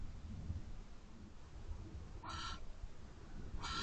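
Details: Barn owl at a nest box just after midnight, driving another owl off the perch: two harsh, broad hissing screeches, each about a third of a second, separated by over a second, above constant low rumbling noise.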